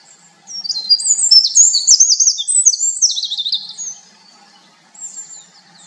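A winter wren pours out a long, very high, rapid tumble of tinkling trills and twitters for over three seconds, then starts a fainter phrase.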